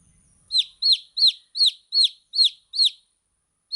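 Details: Young chickens peeping: seven bright, high notes that each drop in pitch, evenly spaced about every third of a second, then a pause and one more peep.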